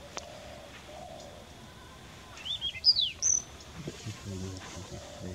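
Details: Chinese Rubythroat, a young bird, singing at Deobali Jalah: one brief phrase of high, sharp whistles and downward slurs, followed by a low human voice speaking.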